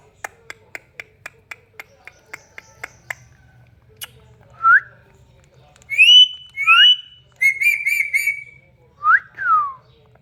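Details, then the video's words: A pet Rose-ringed (ring-necked) parakeet, dancing and talking, gives about ten quick dry clicks, then a run of bright, swooping whistled phrases that rise and fall, some with a warbled, speech-like wobble. "Very funny mithu dancing and talking | Ringneck parrot | Talking parrot"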